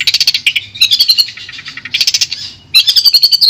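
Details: Long-tailed shrike song meant to restart a shrike that has stopped singing: bursts of quick harsh chatter alternate with drawn-out wavering high whistles, rich and varied, faint hum in the background.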